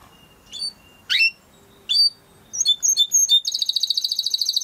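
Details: Singing Timbrado canary used for training: spaced upward-sweeping chirps about once a second, a few sharp high notes, then a rapid even trill of high pulses to the end.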